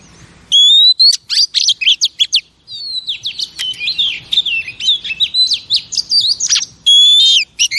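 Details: Female oriental magpie-robin singing to stimulate male birds: pure sustained whistles framing a long, continuous stream of high, twisting warbled notes.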